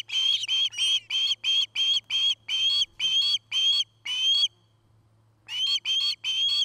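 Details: Nest cam in Charlo, Montana, 8 September 2018: an osprey calls with loud, high, slightly rising whistled notes, about eleven in a run, then a second-long silence and three more, over a low background hum.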